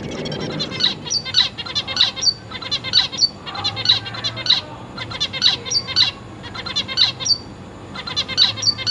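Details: Young zebra finches in a cage with parents feeding them, August 2023; bright, short nasal calls repeated about four times a second in pulsing bursts, some sharper high notes, over faint low hum.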